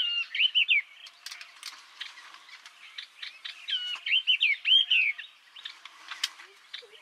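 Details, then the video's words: Yellow-eyed babbler song from Vietnam: chattering twitters and clicks, then a rich run of clear, looping whistles that rise and fall, fading back into scattered sharp chirps. "Tiếng hót Họa Mi Mắt Vàng"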